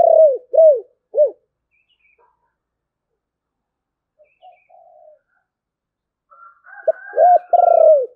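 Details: Spotted dove in thổ bầu style: three quick hollow coos, a long near-silent gap with faint murmurs, then another phrase with a rolling, fluttering coo.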